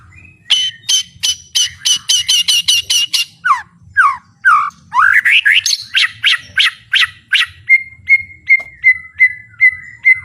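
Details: White-rumped shama with fighting mentality singing at full power: rapid repeated sharp notes, sweeping upslurred whistles, then a string of clear downslurred whistles repeated about twice per second.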